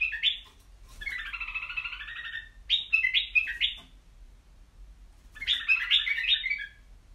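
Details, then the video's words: Caged white-eared bulbul delivers loud warbling song: a drawn-out wavering double-toned phrase, then choppy repeated notes, then a rich rippling burst, with pauses between phrases and a low background hum. "تغريد بلابل يجعل بلبلك يغرد"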